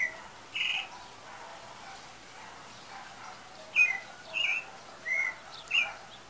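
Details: Singing pale-breasted thrush, thought to be nearing breeding season; a lone whistled note early, then a pause, then a quick run of five clear whistled phrases in the last half.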